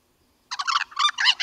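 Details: White-necked crow uttering a loud, guttural, gurgling burst of several rough notes in quick succession, lasting about a second, after a short silence.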